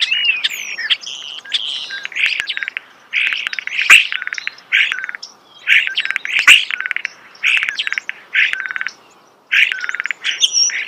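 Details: Starling singing close by in rapid bursts of clicking, rattling chatter mixed with squeaky whistles. Short pauses break up the phrases, and two sharp loud clicks stand out.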